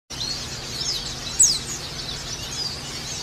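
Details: A white-eye, whose sound is used as therapy to get other white-eyes singing, gives a single thin, high note that slides quickly downward, over a steady high hiss.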